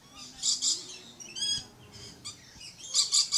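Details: Red-collared lorikeet giving shrill, high screeches in short bursts: a pair near the half-second mark, a thin whistled note in between, then a fast triple burst at the end, with quieter chatter in the pauses.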